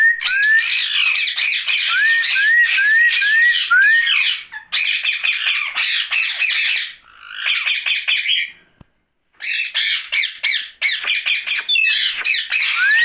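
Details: Rose-ringed parakeet talking at night. Dense, scratchy babbling is interwoven early on with five quick rising whistles. Chatter continues in long bursts, broken by a brief silence near the middle.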